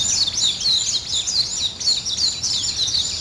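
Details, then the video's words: Morning bird chorus with high arching chirps repeated in quick succession, roughly three or four per second, over a faint steady background. "아침을 깨우는 새소리 2 ,Birds wake up in the morning 2"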